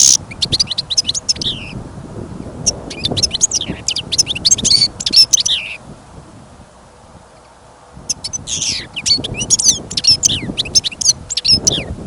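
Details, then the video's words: Caged European goldfinch kept on trial for its singing, taken outdoors on a trapping trip in winter during sudden snowfall and wind, sings fast bursts of high, tinkling twitters and buzzy trills, pausing about two seconds midway, over low wind rumble. "Пение щегла - Голоса птиц. Щегол на прослушивании запел."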